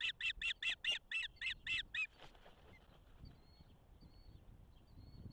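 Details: Osprey pair at a nest in Charlo, Montana, on 6-12-24 as their first chick hatches and the male brings fish: eight loud, harsh, rapid chirps over two seconds, then near quiet with faint high peeps and low background hum.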